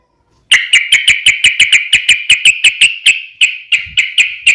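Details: Yellow-vented bulbul (trucukan) in a lure recording for other birds: a steady series of sharp, clipped, bright notes, about three or four per second, slowing slightly toward the end.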